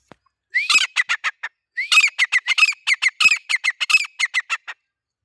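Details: Two bouts of rapid, loud, grating notes from a male grey francolin, the first short, the second longer at roughly four notes per second, each note harsh and ringing.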